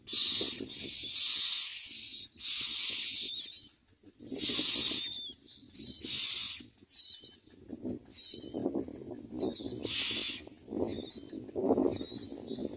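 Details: Myna chicks being fed keep up a run of harsh, hissing screeches, roughly every second or two, mixed with short squeaky whistles and rustling movement.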